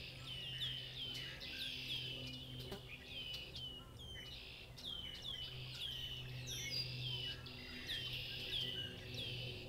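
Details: Dense bird chorus on Massachusetts farmland headed by red-winged blackbirds, repeated down-slurred whistles and buzzy trills from many birds at once, with a low steady drone underneath.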